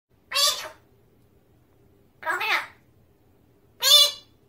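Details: Magpie talking indoors in a kitchen: three separate speech-like utterances, each about half a second long, harmonic and voice-like with bright upper tones, separated by quiet pauses, with a faint low hum in the room.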